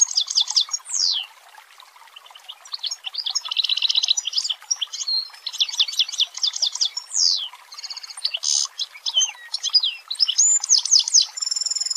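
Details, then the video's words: Long-tailed shrike song used as a training tutor, dense 'tembakan rapat' style: rapid stuttering chips and steep downward slurs, a fast rattling burst near four seconds and thin high whistles toward the end. "MASTERAN CENDET PALING DICARI || FULL TEMBAKAN RAPAT"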